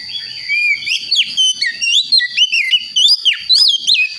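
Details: Young wild-caught Priangan white-rumped shama from the forests of West Java, learning its song: a fast run of loud, clear whistled notes sweeping up and down, slurred and varied, delivered in short bursts.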